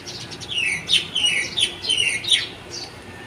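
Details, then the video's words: Morning birdsong: a lively run of quick, high, downslurred whistles and twitters, several notes each second, clear above a quiet background. "Birds song that wake you up in the morning"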